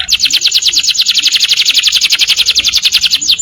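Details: Morning canary song, a steady rapid rolling trill of bright high notes repeated about eight times a second, buzzy and unbroken throughout.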